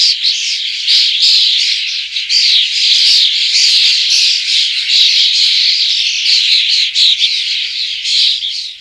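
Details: Common starling, a flocking bird described as a crop pest, producing continuous dense, grating chatter of overlapping rasping and squeaky notes without a break for nearly nine seconds.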